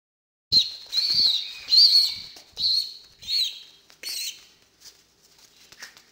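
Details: Hand-fed female pigeon squab near weaning age, excited at feeding time, begging with a series of about six shrill, squeaky high-pitched bursts, roughly one every 0.7 seconds, growing fainter toward the end, with light rustling between calls.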